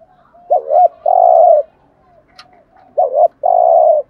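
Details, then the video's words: Coos of a spotted dove in the 'gù thúc' urging style, used as a lure for wild doves: two phrases, each a short wavering double note then a sustained low coo, with a faint click between them. "tieng chim cu gáy bài bản gù thúc bài bản, cu gáy giọng hay mở lên bổi gáy gù mỏi cổ"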